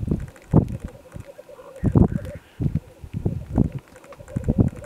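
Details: Black grouse (Lyrurus tetrix), mid-Wales, February 2018, in early gloom; short low bubbling bursts recur roughly every half second to second, with a constant low murmur of more distant birds behind.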